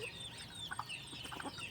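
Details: A free-range flock of F1 red junglefowl, foraging for themselves, gives a few soft, short clucks in two quick bursts against a steady outdoor hiss with a faint high insect whine.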